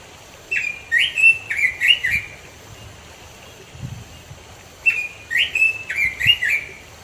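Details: A wild Red-billed Leiothrix in the mountains of East Java sings two quick bursts of five or six clear, rising-and-falling whistled notes, separated by a pause of nearly three seconds, over a faint low rumble.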